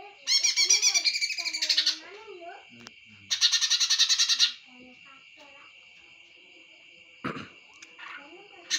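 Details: Two long bursts of loud, rapid rasping chatter from a greater green leafbird, each lasting over a second. Quieter wavering whistles, scattered clicks and a constant high-pitched whine fill the gaps.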